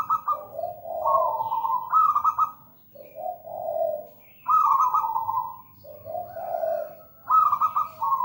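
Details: Zebra dove, local perkutut, in lively song: a rolling high coo, a lower purring coo and a rippled ending, the phrase repeated about every three seconds.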